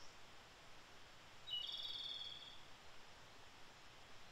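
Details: A Japanese robin in Japan in early May gives one fairly distant, high, rapidly rattled trill about a second long midway, amid steady low rustling background noise.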